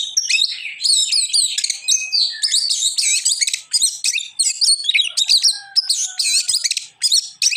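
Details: Oriental magpie-robin, a bird kept for singing, in sustained high varied song: dense runs of sharp chirps, warbled phrases and quick trills in short bursts, with a few brief gaps and a thin lower whistle near the end.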